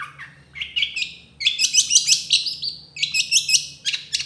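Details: Long-tailed shrike singing an energetic tutor song filled with rapid burst phrases: high, dense trills and chattering notes pour out quickly, including a long sliding whistle, over faint low background hum.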